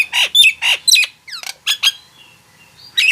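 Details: Short bout of Nias hill myna notes: husky squawks and a few thin descending whistles, then a soft, drawn-out tone before one more harsh call. The bird is used as a trigger to make mute mynas sing.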